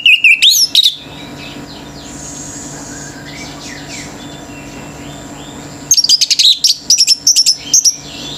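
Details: Orange-headed thrush, a male in breeding condition, singing hard to stir up other birds: a short burst of sharp whistles, a long quiet gap with faint distant twitters, then a rapid run of high, clipped notes.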